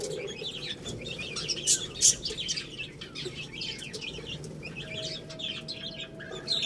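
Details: Peeping chicks eating rice: soft, rapid high chirps from several birds, two louder sharp notes near the start, and a light clatter of pecking throughout.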